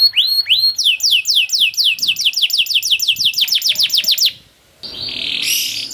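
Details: Domestic canary, long 'cuit cuit' training song for juveniles: rapid repeated downslurred whistles for about four seconds, a brief silence, then a harsh, noisy rasping note.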